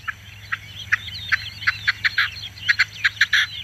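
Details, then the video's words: Red-legged Partridge singing at a little distance: scattered short clipped notes settling into rhythmic groups ending in a harsh drawn note, softer against a low background hum. "perdiz Roja cantando sonido"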